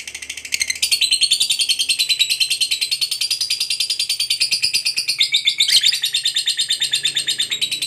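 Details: Long ngekek trill from a fighter lovebird, used to stimulate other lovebirds into singing: an unbroken, rapid, high-pitched chattering rattle of evenly spaced pulses running for the whole stretch with slight shifts in pitch.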